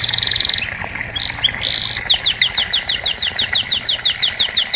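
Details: Canary, singing on a training recording for canaries that have stopped singing: a buzzy trill, a brief slurred note, then a steady series of sharp downward-sweeping whistles repeated about three times a second, with light background hiss.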